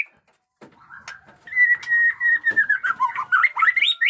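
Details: A white-rumped shama in new plumage, singing fighter-style batuk koral and muntah beling, builds from quiet notes into a long continuous stream of whistled, rapidly modulated warbling that climbs toward the end.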